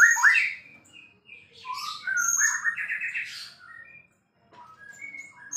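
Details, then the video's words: White-rumped shama, a champion murai in full song, pouring out a rich varied medley of whistles, high thin notes and fast warbled runs, with a brief pause before softer scattered notes. "relaxing Bird sounds murai gacor juara"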